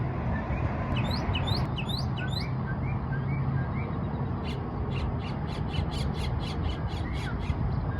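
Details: Happy mockingbird chirping at the Margaret Huntill Bridge, giving short downward-sweeping notes early on, then a series of crisp, very high clicks and chirps repeated about twice a second, all over constant low-pitched background rumble.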